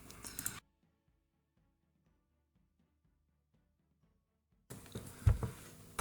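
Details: Short bursts of broadband rustling at the start and end frame a long stretch of near-silence with faint low thumps, and no animal voice.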